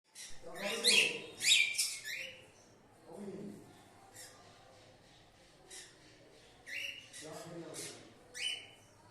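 Cockatiels giving bright, screechy whistled calls in short bursts, with quieter chirps between.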